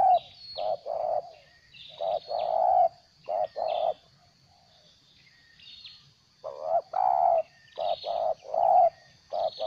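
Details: Decoy spotted dove used for bird trapping, in 'gagap' stuttering style: clusters of rounded cooing notes broken by a pause of about two seconds, then a fresh run of quick coos; thin distant chirping above.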